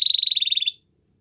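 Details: A white Belgian canary gives a short, rapid, buzzy trill of high even pulses lasting under a second, then stops.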